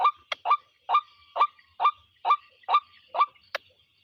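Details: Harsh, nasal, repeated honks of a white-breasted waterhen, about nine notes in quick succession with a short sharp click near the end, against a faint high steady tone.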